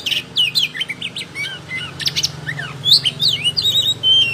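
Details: Oriental magpie-robin singing loudly and continuously with open tail: fast sequences of varied whistles, descending slurs and short twittering notes, ending in long clear drawn-out whistles, over a low steady hum.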